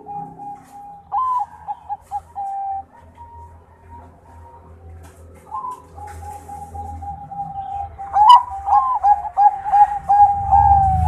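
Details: Champion zebra dove of the Bangkok type in full song, held even cooing notes broken by brief upward flicks, building near the end into quick rolling trilled coos about three per second, with a low rumbling background.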